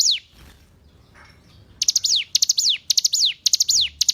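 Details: Tutor recording of a hill prinia for captive songbirds: after a quiet start, repeated shrill phrases of quick staccato notes that end in a descending whistle, roughly two per second.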